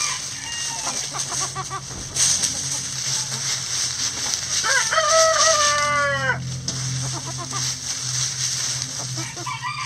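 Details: Chickens in a backyard coop scratch down a leaf pile; soft clucking notes first, then a strong crow of about two seconds with stepped, harmonic tones falling away at the end, over persistent hiss and low hum.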